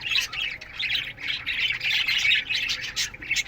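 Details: Morning chirping from a colony of budgerigars kept in an aviary: bright, busy twittering and short squawks layered from many birds, steady and unbroken throughout.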